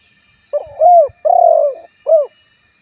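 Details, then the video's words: Spotted dove giving a complete low coo sequence: brief opening note, smooth rising-falling coo, drawn-out vibrating coo and a final short rounded note. "suara burung tekukur terbaru"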